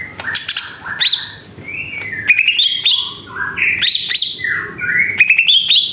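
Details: Greater green leafbird singing a lure song meant to provoke other birds: a varied run of bright whistled and chirping phrases, rising and stepping between notes, with sharp clicks between them.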